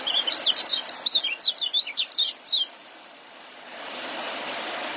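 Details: Ngeriwik and joss song of a young white-eye, for training caged birds: a quick burst of high, sharp twittering notes over two and a half seconds, followed by a steady background hiss.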